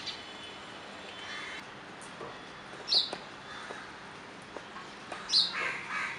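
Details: A playing house sparrow gives two short, bright chirps about two and a half seconds apart over a steady background hiss with soft rustling.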